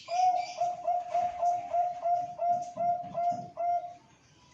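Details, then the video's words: Loud-voiced zebra dove kept as breeding and contest stock in Malang, Indonesia, giving a long, steady series of about eleven clear, mellow coos of even pitch, evenly spaced, with soft background rustle. "PERKUTUT BASIC SUARA BESAR"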